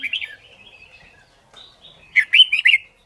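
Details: Red-whiskered bulbul, white-cheeked type, with competition song for fast song learning: soft, slurred warbling, then a sharp run of four or five loud, clipped whistles.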